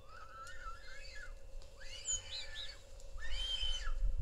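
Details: Male lappet-faced vulture at a nest-camera site in Israel's Negev, calling while mating: three thin, wavering squealed whistles sliding up and down, over a steady low hum and rumbling wind.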